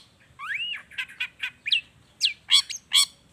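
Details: Long-tailed shrike song used to lure shrikes into song: a clear looping whistle that rises and falls, followed by short chattering notes and loud harsh calls.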